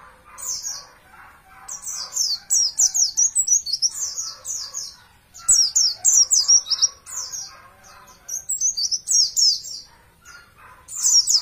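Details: Oriental white-eye song from a champion bird, used as a master recording for training caged birds. Quick runs of sharp, high, descending chirps repeat in dense bursts with brief gaps, and softer lower twitters run beneath.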